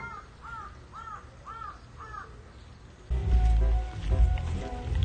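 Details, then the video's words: A crow-like sound heard as a kitten gets punched by another cat while pestering it: five quick arched caws, about two per second, faint against a quiet room, then loud music and thumping take over. "기가막히게 들리는 까마귀 소리"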